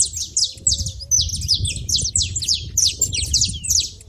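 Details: Saffron finches making noise at a feeding spot; dense, rapid high chirps and short buzzy notes overlap continuously from several birds, with a low rumbling background throughout.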